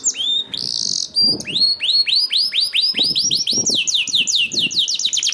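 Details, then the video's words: Canary song used to prompt other canaries to sing: rapid runs of repeated rising whistled and trilled notes, starting with a short buzzy burst, then steady sweeping phrases at high pitch. "PANCINGAN KENARI 1 MENIT MENDENGARKAN SUARA KENARI DIJAMIN KENARI IKUT BUNYI"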